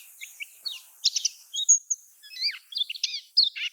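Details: Lombok-style lemon-bellied white-eye song, used to stir silent caged birds into singing. Scattered high notes, some clipped chirps, some bent downward-slurring whistles, delivered irregularly with brief gaps.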